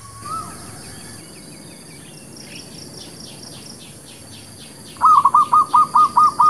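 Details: Zebra dove lure song for trapping and new birds: after a long quiet stretch, a fast burst of about seven short, even cooing notes near the end, with faint high insect-like ticking in the background.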